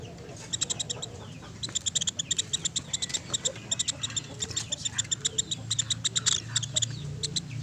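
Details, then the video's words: Rice woodpecker (pelatuk beras) recording used as a training tape for pet birds; sharp, high, clicking chip notes in quick runs, several per second, over a steady low hum. "MASTERAN PELATUK SUARA JERNIH"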